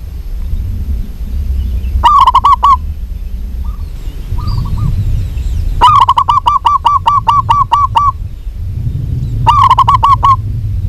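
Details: Female local zebra dove calling a male, with short stuttering coo bursts at the start and end and a longer run of about a dozen pulsed hollow notes in the middle. Soft low rumble and a few quiet extra notes.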